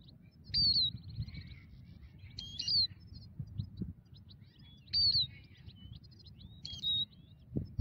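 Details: European goldfinch during migratory bird trapping with a ground net: paired high, sweeping, slightly buzzy tweets repeated in spaced bursts, some with stuttering ticks, over faint low rumble.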